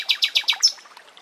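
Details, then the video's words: Common nightingale singing in a forest: four quick, sharp high notes repeated evenly, then a thin high whistle that trails off into quiet. "Bülbül sesi"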